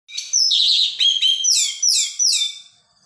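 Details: Orange-headed thrush singing in the Indonesian songbird-hobby style called teler bongkar isian, a loud, steady song full of filler phrases: rich slurred whistles and sweeping downward notes in quick connected phrases, with no other sounds.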